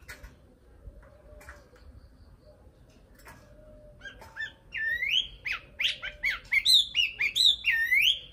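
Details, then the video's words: Nightingale song beginning after about four seconds of near silence with faint chips, then building into a rapid run of loud, rising and falling whistled notes repeated in close succession. "Best Video Nightingale Song , Sound Image Nightingale"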